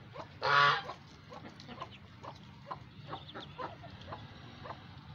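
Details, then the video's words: Domestic ducks and geese feeding at home: one loud, harsh, nasal quack early on, then a scattered run of faint, short quacks and soft chatter over a low background hum. "Geese Ducks sounds"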